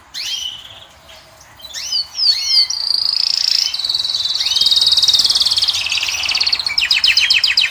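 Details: Song of a Moroccan goldfinch aimed at a female: a few clipped chirps, a cluster of quick slurred whistles, then a sustained high buzzing trill lasting several seconds and ending in choppy repeated notes.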